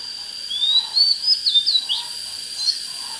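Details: One phrase of Oriental magpie-robin song: a long rising whistle sliding into a few quick wavering notes and a brief chirp, over a constant thin high tone.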